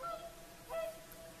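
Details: At sunset on Lake Saimaa, Finland, whooper swans sing in the evening; a short bugling honk followed by a longer, louder trumpeted note, clear and tonal against faint ambient noise.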